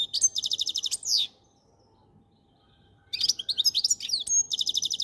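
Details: Goldfinch singing a long, fast liquid twitter of tinkling repeated notes and buzzy slurs, pausing nearly two seconds before resuming with varied chattering phrases and rapid trills.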